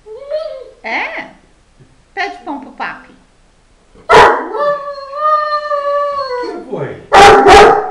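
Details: A Fila Brasileiro attacking gives harsh, explosive barks between drawn-out whining cries, with human voices mixed in.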